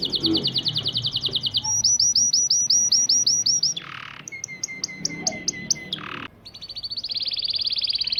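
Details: Syrian local canary kept as an ornamental cage bird, singing to teach and motivate chicks to sing: a rapid high trill, then a series of repeated ringing notes, a steady pure whistle, and a fast buzzy roll, interrupted by two short noise bursts.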